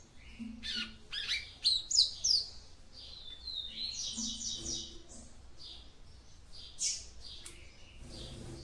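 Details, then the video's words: Female Yellow-bellied Seedeater song for stimulating the male: quick high chirps and short trills, louder early, then fainter notes over a steady background hiss. "CANTO DE FÊMEA PAPA CAPIM PARA ESQUENTAR SEU MACHO"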